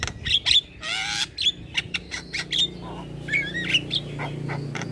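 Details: Head-bobbing Javan myna singing hard to encourage reluctant mynas: a long grating buzz, then a string of short whistles and clicks over a steady low hum.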